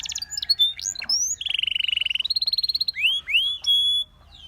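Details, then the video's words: Russian singing canary song: fast buzzy trill of even pulses near the middle, then pure rising whistled slurs and steady held tones, clean with no other sounds. "A Special Canary to Seduce All The Canaries - The Russian Singing Canary"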